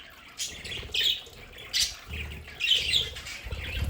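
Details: Domestic budgerigars in their home play area give scattered raspy squawks and chirps mixed with low fluttering wing sounds and soft knocks.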